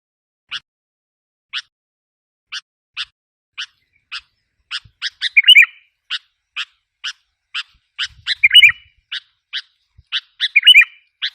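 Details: Sooty-headed bulbul lure call meant to provoke wild bulbuls: short sharp chip notes repeated about every half second, broken by bubbly warbled phrases three times, in an otherwise quiet background.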